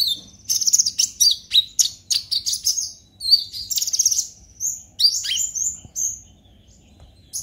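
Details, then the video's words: High, rapid twittering from a purple-throated sunbird, a lure recording for prompting other birds to sing; clustered sharp chips and brief trills in bursts, a few slurred notes late on. "Pancingan KONIN Bahan agar GACOR NGOBRA EMOSI - Purple Throated Sunbird"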